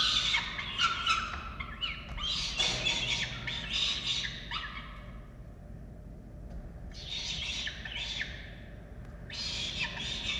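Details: Falcons feeding chicks at a nest in Orange, Australia, 13 November 2022. A dense, rasping chatter of calls gives way to a quieter gap, then two further rough bursts of squawking return toward the end.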